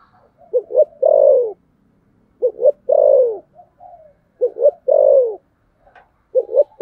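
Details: Spotted dove fighting coo, the Vietnamese 'thổ sấm gù' style: phrases of two short rising notes followed by a long drawn-out descending coo, repeated about every two seconds, clean and without background sound.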